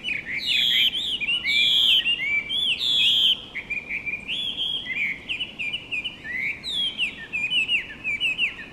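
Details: Chinese hwamei (Garrulax canorus) singing at Komiya Park, Japan: loud, rich whistled phrases, rising and falling slurs with quick repeated notes, over a soft background hiss.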